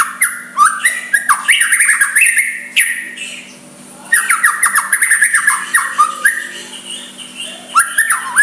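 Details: Soft white-rumped shama song to incite a rival to reply; loud clipped whistled phrases delivered in quick rhythmic series, a quiet gap mid-way, then another energetic run and a closing phrase.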